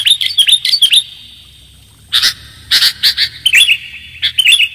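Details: Kutilang, the sooty-headed bulbul, on a clear-voiced lure recording: rapid bright chirps, a short gap, then further bursts of sharp notes and twisting chirps.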